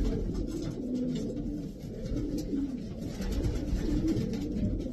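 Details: Indoor loft of twelve Davy Van Roy racing pigeons: soft, deep cooing phrases rise and fall over a steady low rumble, punctuated by faint clicks.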